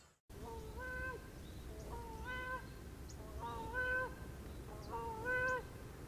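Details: Grey crowned crane, seen with its young, gives four nasal, honking calls, each stepping up in pitch, about every second and a half, over a low background rumble.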